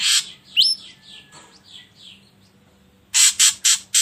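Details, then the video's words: Ashy drongo recording meant to coax birds into singing: a harsh burst, a sharp rising whistle and a series of soft slurred whistles, then four quick rasping notes, with a low background hum. "Pancingan Burung Srigunting Abu Abu Biar Bunyi"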